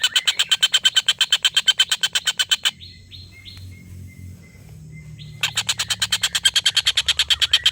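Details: Collared kingfisher giving a long laughing call, used as a tutor for competition songbirds: harsh rapid notes about three a second, then a pause filled with soft slurred whistles from another bird, then the harsh series resumes.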